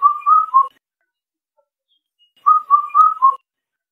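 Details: Indian cuckoo delivering two four-syllable whistled phrases, evenly paced level notes with a falling last note, separated by quiet.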